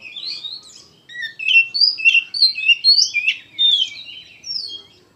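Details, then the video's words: Oriental magpie-robin (kacer) delivering a loud phrase of varied whistled notes, several upslurred and downslurred, after a quiet opening second; clean background. "KACER GACOR PENUH EMOSI"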